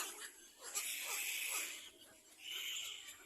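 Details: Little black cormorant chicks competing for food, giving wheezy, hissing begging calls that swell and fade over several seconds, with a softer squeal rising again near the end.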